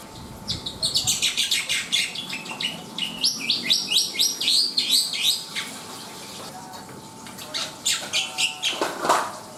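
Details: Black-winged myna singing vigorously: a rapid chattering stream of scratchy notes and short whistled figures, then a faster rasping run and a final low, noisy burst.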